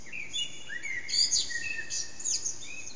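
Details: Eurasian blackbird, unseen, singing at about 4:30am in a backyard that echoes, recorded with an HTC Desire: rich flowing fluted notes that slide downward, broken by squeaky high twitters, over faint constant hiss.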